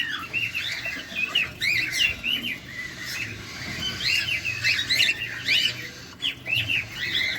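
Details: Cockatiel at feeding time, filmed close, calling in scattered bursts of bent, chirpy whistles, some clusters quick and overlapping, others spaced with quieter moments between.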